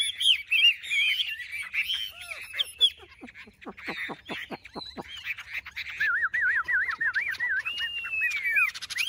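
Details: Two tame Chinese hwamei (Garrulax canorus) in hand-held cages sing against each other in competitive fighting song: loud, varied rich whistles, a fast run of downward-sweeping notes and rolling warbled trills, with faint background voices.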